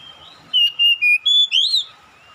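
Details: Oriental magpie-robin, calling with another replying, gives a single crisp phrase of five loud whistles, the first four short and even, the last rising and bending down, above a faint steady tone.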